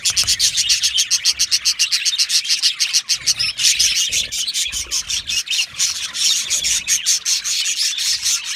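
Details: Flock of budgies in an aviary producing continuous high twittering chatter, quick chirps packed closely in a rapid rhythmic series with no pauses.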